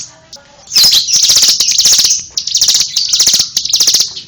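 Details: Loud, high-pitched buzzy trilling from a bar-winged prinia, running almost unbroken after a few soft opening notes.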